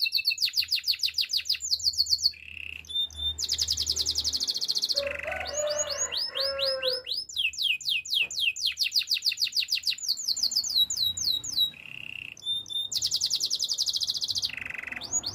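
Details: Timbrado-style song of a Spanish timbrado canary for training: rapid series of falling whistled notes, short steady trills, and a softer warbled middle section with lower notes.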